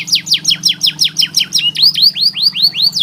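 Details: Canary training song meant to get lazy canaries singing: a quick run of sharp descending whistled notes, several each second, shifting into rising upswept chirps, all over a faint constant low background hum.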